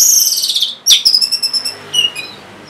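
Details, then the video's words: An orange-headed thrush sings to stir lazy caged birds. A bright descending warble fades out. A sharp note follows, then a fast run of high ringing notes and a softer whistled ending. "C0COK Untuk Pancingan Burung ANIS MERAH Bahan Macet Ataupun Malas Bunyi"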